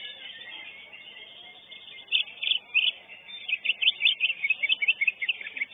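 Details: Greater green leafbird in a songbird contest, session 7, third place in its class: a soft murmuring start, then rapid, high chirping notes tumbling in quick, uneven bursts.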